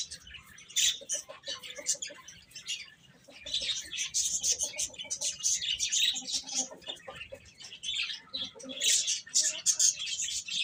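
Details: Young chickens chirp while eating and playing; a long, uneven chorus of high peeps, quieter at first, then dense and loud, with a few lower notes mixed in.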